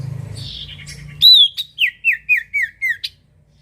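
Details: Common iora (cipoh) singing as a lure for other birds: a short scratchy note, then a rapid series of about seven clear whistled notes. Each note slurs downward, and the series steps slightly lower in a crisp, quiet setting.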